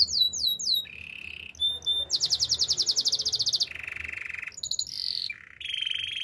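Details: Canary song: bright trilled phrases that shift every second or so, from rapid falling chirps near the top to steady buzzy rolls and lower purring trills, loud and continuous.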